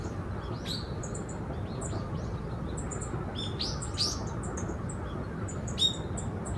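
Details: Wild Yellow-throated bunting at the former heliport of Osaka Castle Park, giving short, thin, high chirps in loose clusters, some sharp and ticking, over a steady low hum of city noise.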